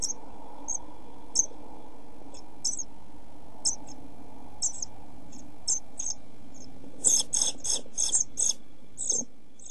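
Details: Pied flycatcher nestlings in a nest box camera during heat and food shortage, 27.6.2013: sparse high squeaks that swell into a loud burst of rapid, harsh cheeps with rustling, over low hum.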